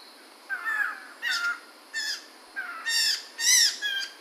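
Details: Chinese hwamei of the Medan type, 2021: loud harsh harmonic phrases with downslurred whistles, delivered in bursts about every half second over a steady background hiss.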